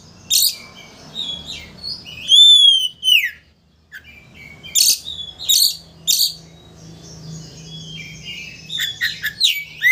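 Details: Oriental magpie-robin singing to agitate a rival into opening its tail: clear high whistles, including a loud ringing arched note, followed by sharp clicks, scratchy notes and varied chirps over faint low hum.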